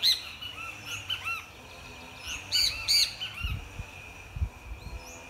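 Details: Great kiskadee singing, giving loud, harsh, buzzy notes in short bursts, a strong double phrase near the middle, with faint chirps between and low thumps toward the end.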